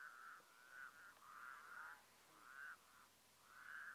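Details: Mongolia, 2015: a White-naped crane gives bursts of loud, quavering, trumpet-like notes, each lasting under a second, separated by short gaps, in an otherwise quiet setting.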